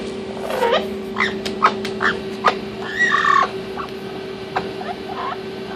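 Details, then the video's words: Orange-winged amazon parrot, a male, playing inside its nesting box; varied short squawks and garbled talk-like chatter, including a longer harmonic syllable around three seconds, with a steady electrical hum behind. "Amazon Parrot playing in nesting box talking"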